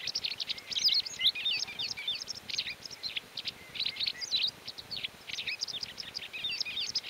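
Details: In the mountains of León, Spain, during May 2019, a white wagtail pours out rapid, continuous high twittering: dense runs of sharp chirps and squeaky notes with hardly a pause, over a faint background hiss.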